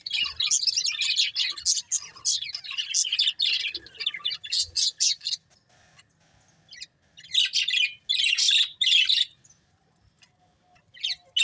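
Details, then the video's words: Colourful budgerigars, a breeding pair, chattering in fast high scratchy chirps for several seconds, a quiet stretch, then short renewed bursts of twittering. "Colourful Budgies Chirping Sounds"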